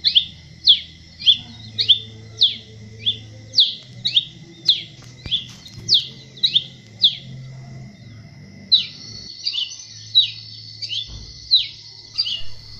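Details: Masked cardinal from Colombia, Venezuela and Trinidad and Tobago singing a long run of crisp, repeated down-slurred chirps, nearly two per second, pausing briefly before a denser burst of similar notes; a constant high tone underlies it.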